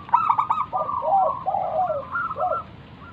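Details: Zebra dove of local stock, a keen singer used to lure other doves into answering, gives its perched song: fast stuttering notes, then a run of rolling, bouncing coos, with a faint constant hum behind.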